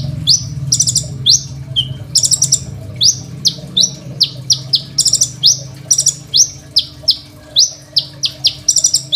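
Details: Crimson sunbird song used as training material for other songbirds, captured by phone: long steady series of piercing high chips, roughly two per second, opening with several quick buzzy rattles.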